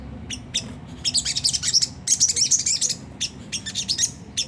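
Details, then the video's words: Rough ngriwik song of a Sunda whistling thrush, played as a lure for caged birds: dense, scratchy high twittering in three long bursts, each made of rapidly repeated chirps. "pancingan jernih suara sogon ngriwik kasar nembak gacor"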